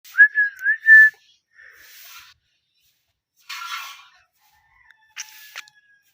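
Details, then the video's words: Parrot giving a clear, wavering whistled phrase of three or four linked notes in the first second, then softer breathy noisy bursts with gaps of quiet between them. "Parrot clean voice"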